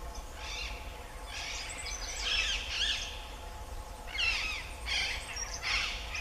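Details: Common sandpiper calling in the open: a run of about seven high, thin bursts in quick succession, some louder and sharper than others, over a steady low background rumble.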